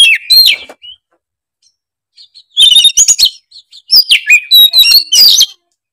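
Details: Oriental magpie-robin in energetic song, loud varied bursts of sweet whistles mixed with harsh scratchy notes, separated by a long quiet pause with faint soft notes, then a dense jumbled closing phrase.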